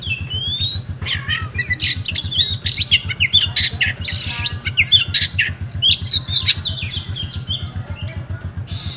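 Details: Kept oriental magpie-robin from Comal, Pemalang, Central Java, Indonesia, singing in the rewo style: a fast, varied stream of sweet whistles, sharp chirps, rising slurs and harsh buzzy notes. A steady low rhythmic thumping runs underneath throughout.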